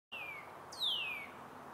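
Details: Northern cardinal singing on a dead tree in Eastern Ontario, giving two clear, downslurred whistles, the second starting higher and sliding down further, over a faint steady hiss.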